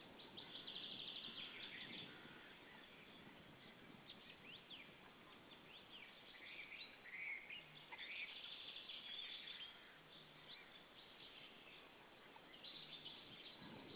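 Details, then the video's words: Pair of white-tailed eagles calling at their nest in Saunja, Estonia, 19:20 on 26 April 2013, directed at another eagle; bursts of rapid shrill yelping early and around the middle, with wing flutters and nest noises between. "Saunja Sulev arrived shouting than came Linda, both shouting to another WTE"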